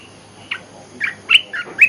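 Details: Olive-winged bulbul lure song: a short burst of bright, chattering notes around the upper-middle range, rising and falling quickly, the last two sharp and emphatic, over faint background hiss.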